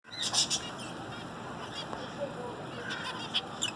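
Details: Zebra finches singing, with short buzzy, harmonic-rich notes in quick bursts near the start and again toward the end, over a steady background hiss.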